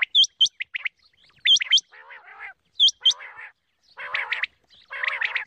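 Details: Morning calling of a female quail in a quail-farming setting: crisp doubled high whistles, repeated roughly every one and a half seconds, alternating with harsher buzzy chattering bursts. The background is quiet.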